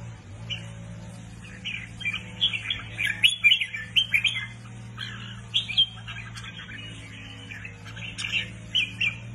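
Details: Recently acquired red-whiskered bulbul in captivity pours out a rapid string of chirpy whistled notes in clustered phrases, against a constant low droning hum.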